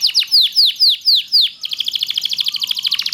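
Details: Canary of the kenari loper type, its long song used as tutoring for other canaries: about seven loud downward-swept whistles, then a sudden switch to a fast, dense rattling trill of short high notes.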